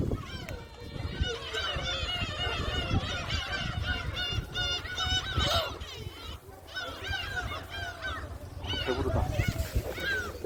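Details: A crowd of gulls at Jebudo island, South Korea, calls almost nonstop while being fed, a dense chorus of harsh mewing cries overlapping for ten seconds, with low rumbling noise underneath.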